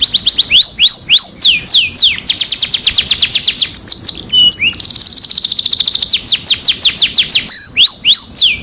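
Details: Canary song meant to coax a silent canary into singing: a loud, continuous string of rapid high trills and steeply falling whistled sweeps, shifting between fast buzzy rolls and slower swooping notes.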